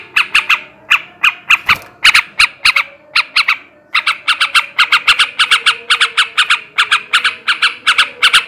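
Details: Breeding-stimulation song of a male sooty-headed bulbul: dense runs of harsh, clipped chattering notes, starting in spaced groups then speeding into a long rapid stream.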